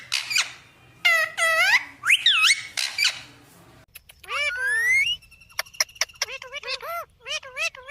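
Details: Parrot talking at home, begging for roti and calling 'mummy papa'; squeaky speech-like syllables swooping up and down in pitch, delivered in quick bursts with brief gaps between phrases.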